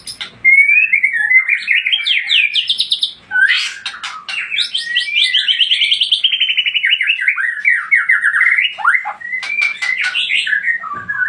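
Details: Loud, continuous song of a white-rumped shama from Aceh Tangse: clear whistle opening, then long cascades of rapid rising and falling warbled notes broken by brief sharp ticks.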